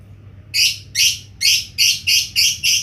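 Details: Lovebird cackling in a rapid run of seven harsh, high, buzzy chirps, evenly spaced about three per second, loud and grating over a faint low hum.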